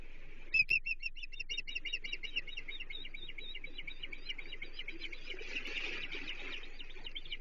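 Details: Osprey calling at its Chesapeake nest on 30 June 2023, during the day's third menhaden fish delivery to the chicks. A loud opening chirp leads into a long series of high, clipped whistles that softens and blurs toward the end.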